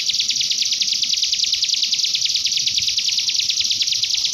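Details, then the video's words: Common iora master song imitating a canary, meant to prompt young ioras to sing; steady high chattering trill of rapid repeated notes, about three per second, sustained without break. "Masteran Burung cigun rasa kenari gacor cocok buat pancingan buat cigun paud langsung ikut gacor"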